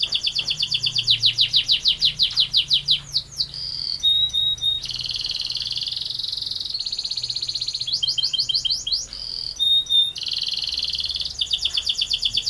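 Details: Canary in full song with long rolling passages: rapid pulsing trills alternate with sustained high whistled notes and brief chirps, the phrases running on continuously without pause.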